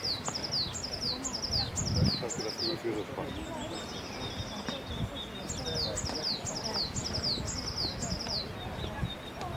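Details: A Eurasian blue tit (Cyanistes caeruleus) sings high, thin falling notes in quick groups of two or three, then a fast silvery trill, over a low rumble of background noise.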